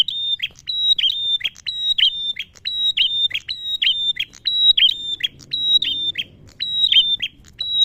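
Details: Repeated song of a male prinia, a lure meant to set caged prenjak and ciblek singing; steady high whistles paired with downward chipping notes, roughly one phrase per second over a quiet background.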